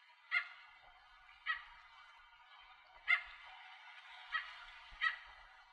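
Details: Bridled tern calling from its nest with a chick on rocky islands at Arecibo, Puerto Rico, recorded in 2015: five short, harsh, nasal notes spaced about a second apart over a steady background hiss.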